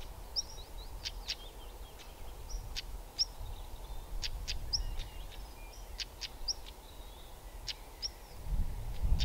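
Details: European stonechat on a spring 2020 walk in the Welsh Valleys, in fine weather, giving hard, clicking 'tak' notes like two knocked pebbles mixed with thin high whistles, roughly every half second, over low wind rumble.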